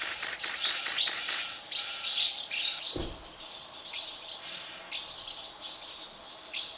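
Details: Hungry House martin nestlings calling from a colony of thirty nests as adults keep feeding them: rapid, overlapping high-pitched chirps, busiest early on and then thinning, with one low thump partway through.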